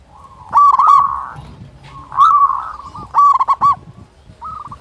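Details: Loud-voiced local zebra dove kept to rouse other doves into calling: rich, throaty coos in bursts, some with rapid stuttering notes, separated by short gaps.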